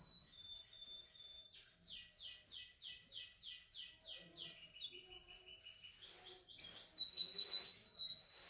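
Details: Canary during singing training: a thin whistle, then a run of about ten quick downward-swooping notes, a lower repeated trill, and finally a bright high rolling whistle.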